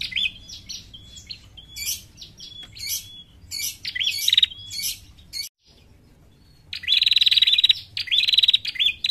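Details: Female bar-winged prinia call, a local prenjak recording used as a lure for catching birds. Sharp, very high chirps and buzzy stuttering bursts come in quick runs. After a brief silence, loud rapid ringing trills follow, all close and clean.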